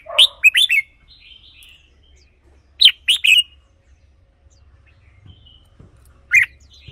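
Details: Red-whiskered bulbul song, a recording used as a decoy or to excite caged birds: short lively phrases of rippling chirped notes separated by long quiet gaps with faint buzzy notes and low hum.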